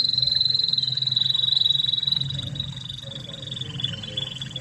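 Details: Original Spanish Timbrado canary from Spain, recorded as a tutor song for young canaries, sings a long sustained high rolling trill. It stays level, then weakens slightly and wavers, with a constant low hum behind it.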